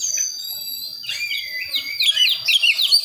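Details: Young Oriental magpie-robin, Priangan type, wild-born in West Java, working on its song: a drawn-out thin whistle, then quickening bursts of bright, jumpy chirps growing louder toward the end.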